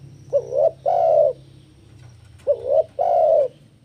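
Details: Spotted dove song for luring and training doves: two phrases, each a quick wavering double coo then a drawn-out resonant coo, steady low hum beneath.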